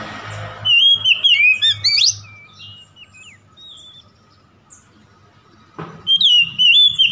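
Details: Oriental magpie-robin song as a rival-provoking lure: a burst of high whistles with a steep rising sweep, a quieter stretch of faint scattered notes, then a renewed loud whistled phrase.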